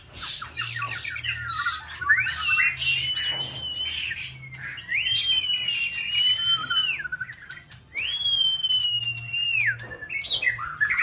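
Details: Caged white-rumped shama in peak season, singing in a multi-rival contest test to stir another bird: long clear whistles held level near the top, rising into each one, then dropping away. Quick chirpy notes between the whistles, with a low hum behind.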